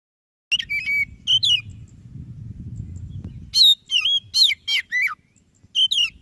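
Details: White-breasted Oriental magpie-robin singing vigorously, used as a lure to get a lazy magpie-robin to sing: short bursts of sharp whistled and chattering notes, a pause, then a faster run of bright varied phrases, over a low steady hum.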